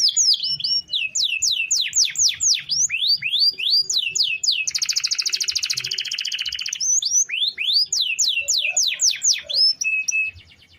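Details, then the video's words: Canary in full song, a long roll meant as a daily master for training other birds: quick repeated downslurred whistles, then a dense two-second buzzing roll, then more rapid sweeping whistled notes ending in a short trill. "Suara Kenari Gacor Ngerol Panjang – Cocok Buat Masteran Harian!"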